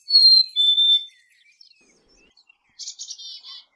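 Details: Black-capped chickadee giving a clear two-note whistle, a high steady note sliding down to a slightly lower one, then after a pause a short run of buzzy, harsh repeated dee notes.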